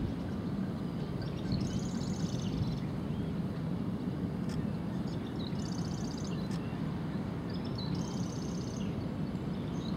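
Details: Marsh Wren gives three faint songs about three seconds apart, each a few ticking lead notes then a high, dry, rapid rattle, over heavy low wind or traffic rumble; mudflat walkway at Bayonne, New Jersey, with Short-billed Dowitchers feeding.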